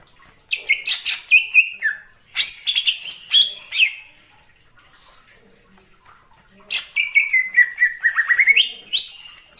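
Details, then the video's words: Greater green leafbird in the wild forest: two bursts of fast, varied chirps and whistles, then a pause before a long run of clipped notes and descending slurs. "suara cucak ijo di alam liar_ijo hutan"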